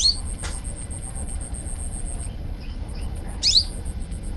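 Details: Young untrained kolibri ninja sunbird giving two brief, piercing high chirps, one at the start and one near the end, separated by quiet, with a constant shrill ticking buzz in the background.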